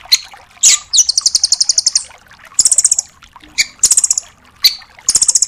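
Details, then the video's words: Trilling 'tembakan' song of a velvet-fronted nuthatch ('rambatan doraemon'), used as a tutor for other songbirds. High, fast note trains are repeated in bursts of about a second, separated by sharp single chips. "MASTERAN BURUNG RAMBATAN DORAEMON FULL TEMBAKAN"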